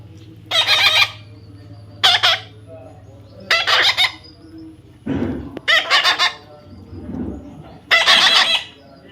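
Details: Parrot, presented as a talking parrot, giving five loud harsh raspy squawks at irregular intervals of one to two seconds, with a softer lower call between them and a faint low hum beneath.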